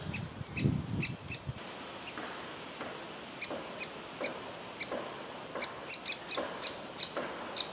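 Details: Young woodpecker in a tree nest hole waiting to be fed; scattered sharp calls and softer notes, with a burst of low rustling noise early on, calls growing louder and quicker toward the end.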